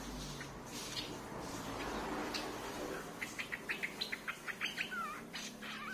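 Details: Streak-eared bulbul lure sound: after a noisy start, a rapid run of about a dozen clipped chirps, then two short slurred whistles, set against rustling background noise.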